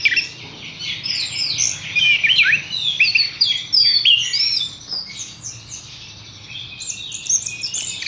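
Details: Horsfield's bush lark in a cage sings rapid, varied high twitters and twisting whistled notes, around three per second, loudest early on and softer toward the end.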